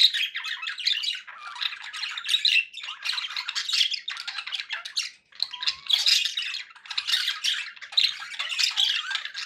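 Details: Long stretch of pet budgie chatter, harsh rasping squawks and twittering whistles running almost without a break.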